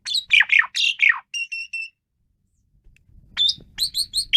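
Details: Asian pied starling singing vigorously: harsh, squawky descending notes lead into three steady, pure whistles, then a pause and a quick string of sharp high chirps.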